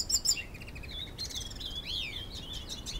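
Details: Captive-born two-year-old hooded siskin courting a female canary in Canoas, Rio Grande do Sul, Brazil; high thin whistles and twittering phrases with rising and falling slurred notes over steady low background hiss.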